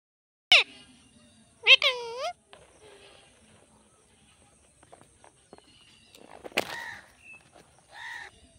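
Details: Talking parrot producing a few harsh, nasal squawks and speech-like syllables spaced irregularly, with quiet gaps and faint rustling and tapping between calls.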